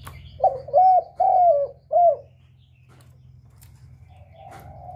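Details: Lure call of a spotted dove for trapping: a phrase of four rounded coos, the third drawn out and falling, followed by a softer distant coo, with a constant low hum and a couple of clicks.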